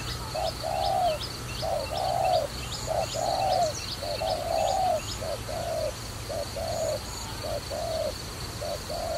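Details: A dove used for trapping gives rhythmic low coo pairs throughout, short then drawn-out, while a high chirping bird calls rapidly above.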